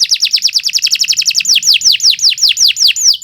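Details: Canary singing a long, continuous song suited for tutoring other birds: a fast run of high buzzy notes, then slower, louder down-slurred whistles, about eight in under two seconds.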